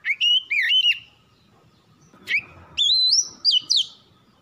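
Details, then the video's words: White-rumped shama singing, meant to prompt other birds to sing: two short phrases of fluty, wavering whistles separated by a quiet gap with a low hum. "PANCINGAN KACER CEPAT GACOR"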